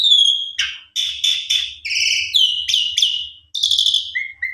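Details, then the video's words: Gacor song of a jalak suren meant to set off a sulking bird: a steady high whistle, then a string of short harsh bursts separated by brief gaps, closing on a lower clear whistle. "Jalak Suren PUNDUNG !! Coba Putar 1 Kali PANCINGAN Jalak Suren Suara ISTIMEWA Gacor Vareasi Komplit"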